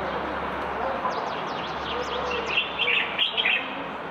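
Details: Common bulbul recorded from a balcony in Marrakech on 15 February 2020: a burst of short, bubbly whistled notes late in the clip over a steady urban hum, with thin high chirps of other small birds earlier.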